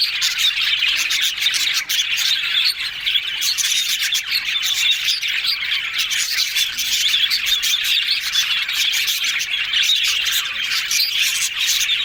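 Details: A group of yellow budgies making happy talking sounds, with a constant high chattering warble of rapid chirps, squeaks and clicks running together without a break.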